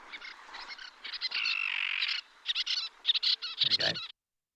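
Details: Little tern, a shingle-nesting bird that tries to breed at Hurst Spit in the New Forest, where disturbance usually makes it fail, giving harsh, high, rapid chattering calls in quick bursts, with a common tern calling in the background.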